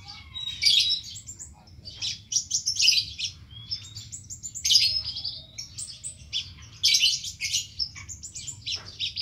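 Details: Chattering Van Hasselt's sunbird delivering a lavish, insert-filled song: bursts of high, scratchy chirps and thin whistled slides every couple of seconds, separated by brief pauses, with steady low hum beneath.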